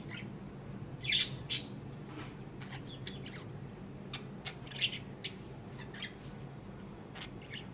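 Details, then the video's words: Pet lovebirds kept at home, called naughty and clever, give a few sharp, shrill, high chirps, two close together early on and another a few seconds later, over a steady low background hum. "love Bird"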